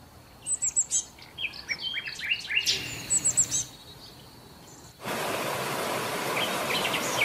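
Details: Sparrows feeding on food remains left on hotel restaurant tables in Marsa Alam after breakfast; a burst of sharp high chirps and short trills, then a sudden loud broadband rush of noise in the second half.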